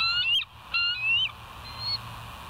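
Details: Bald eagle at the West End nest, recorded 05:06 on 22 July 2023, gives thin, high whistled notes, each rising then slurring upward, followed by a fainter drawn-out whistle, with low hum behind.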